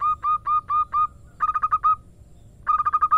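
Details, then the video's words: Female local zebra dove calling the male: five slower, drawn coo notes, then a quick stuttering run of six, a short silence, and another rapid run of six clipped notes. "Perkutut Betina Memanggil Jantan"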